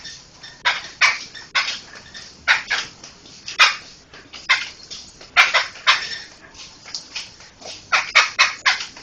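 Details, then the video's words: Laughingthrush chatter used to train other songbirds: continual harsh, scratchy bursts of varying loudness come in uneven, overlapping groups. "Ocehan Burung Poksay"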